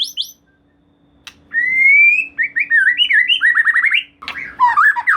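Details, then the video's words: White-rumped shama song used as a lure to make another shama sing: after a brief high note and a click, a long rising whistle leads into fast varied warbled phrases and slurred notes, with a steady low hum beneath. "Silahkan Coba Video Pancingan Murai Batu Gacor Ini, Murai Bahan Pasti Bunyi || Voice of Murai Batu"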